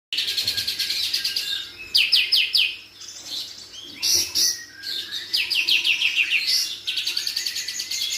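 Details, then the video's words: White-rumped shama singing, used as a master song: a lively varied series of high, rapid trilled and chattering phrases with short pauses, over a faint low hum. "Masteran murai batu kapas tembak bukor."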